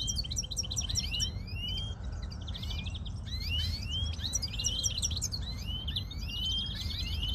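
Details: European greenfinch singing: bursts of fast dry trills alternate with upward-slurred whistles, the phrases following each other almost without pause against a constant low hum.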